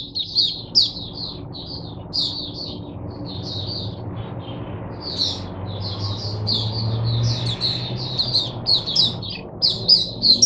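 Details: Caged oriental white-eye acting as a teacher bird for other white-eyes, 22 January 2022: broken phrases of high twittering chirps over steady low rumbling noise.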